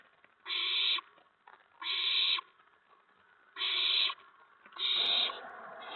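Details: Owl nest on the evening of April 19, 2017, adults bringing food to the owlets. Four coarse hissing screeches about 1.5 seconds apart; the last one blends into a brief rustling, thumping noise.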